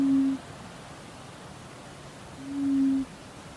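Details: A Laughing dove (Spilopelia senegalensis) in Western Australia gives two low, soft, steady coos about two seconds apart, the second longer, over a faint background hiss.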